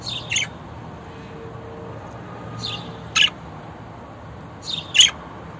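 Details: Budgerigar giving a few sharp, scratchy chirps in three separate bursts, a couple doubled, spaced over several seconds against a faint low hum.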